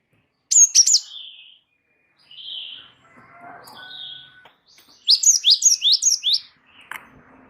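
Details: Gelatik wingko Java sparrow singing steadily as a lure and tutor recording: a pair of piercing chirps, softer warbled notes, then a rapid run of about six rising, bell-like chirps.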